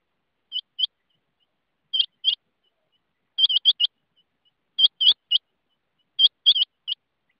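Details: Rain quail calling: sharp, metallic, high notes given mostly in quick pairs or short clusters, with bursts about every one and a half seconds against a silent background.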